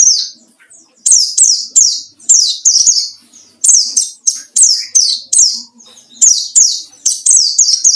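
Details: White-eye in full wild-style song, used as a lure to provoke rivals: loud, high, sharply descending slurred notes delivered in quick bursts of two to four, pausing briefly between phrases.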